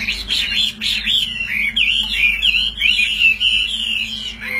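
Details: Tame caged Chinese hwamei kept as a fighting bird, singing while its cage is hand-carried and shaken. Rich run of sweeping, rising and falling whistled notes, loud and unbroken, with a faint low hum beneath.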